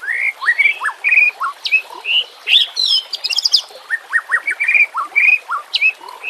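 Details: White-rumped shama, intended as a training and lure recording with ambient nature and water sounds, delivering clear rising whistles and short upslurred notes in varied, rapidly changing phrases.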